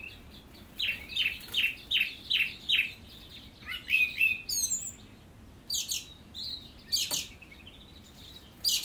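A song thrush sings one bright, downslurred note about five times in quick succession, then moves on to varied whistled and chattering phrases, against a quiet background.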